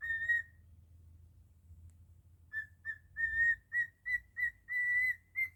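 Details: Pet cockatiel singing Jingle Bells its own way: one long whistle, a pause with low background hum, then a run of short clear whistles ending in sustained notes.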